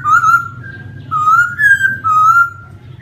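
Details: Laughingthrush giving pure, drawn-out whistled notes, three main phrases of slightly varying pitch in quick succession, each smooth and sustained, with faint low background hum.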